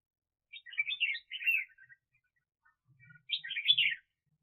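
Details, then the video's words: Red-whiskered bulbul decoy bird for trapping, singing two quick, bright, bubbling warbled phrases separated by a short pause, clear against a quiet indoor background with slight low thuds. "Chào Mào Mồi [Công Lập]"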